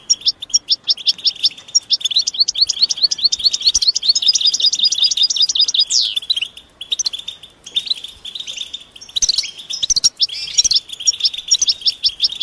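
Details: Goldfinch mating and readiness calls meant to stimulate silent males into singing: dense, rapid high twittering chirps and trills, repeated continuously with brief breaks and sharp clicks between bursts.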